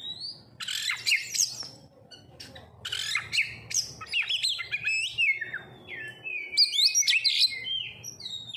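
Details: Oriental magpie-robin lure song for stirring other birds to sing: varied harsh squawky notes and clear whistles in quick, irregular bursts, with several long gliding whistles near the end.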